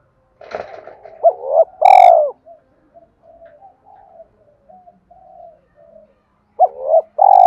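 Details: Spotted dove coo phrases for luring wild doves: two quick hoots and a strong falling coo, then faint murmuring sounds, before another phrase begins near the end; a brief rustle opens the recording.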